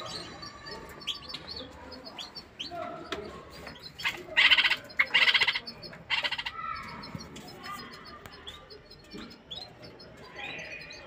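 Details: Bulbul in a cage singing to arouse a female for mating: soft scattered chirps, then a run of three loud grating bursts midway, followed by quieter chirping and high tinkling notes.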